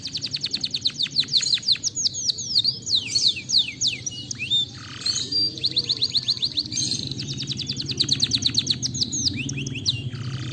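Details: Canary song used as a lure to set other canaries singing: long, fast trills of sharp high chirps, with steep downward sweeps and rolling phrases. A low hum runs underneath the whole time.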